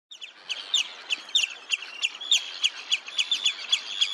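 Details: Red-necked phalarope at Olafsvik, Iceland, 15 June 2024: a busy series of short, high, clipped chirps, about three to four per second, some overlapping as if from several birds.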